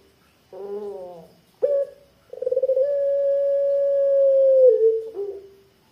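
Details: Puter pelung, a Barbary dove with a thick drawn-out 'kwook' used for luring other doves: a low throaty note, a sharp short note, then a fluttering onset becomes a long steady coo that sags and trails off.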